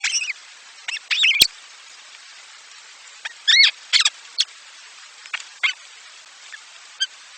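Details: Baby birds in their nest being fed by their mother; short, sharp high chirps and squeaks come in scattered bursts, a few quick notes at a time, with quiet gaps between.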